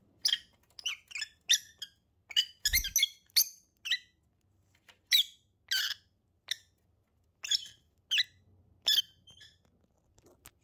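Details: A pair of lovebirds giving sharp, high chirps in irregular bursts, some single and some in quick doubles or triples, with short pauses between them, over a faint low hum.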